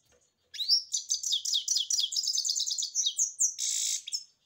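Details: Goldfinch singing a lively, high-pitched twittering phrase of rapid chirps and trills, ending with a harsh buzzy note; clean, quiet background.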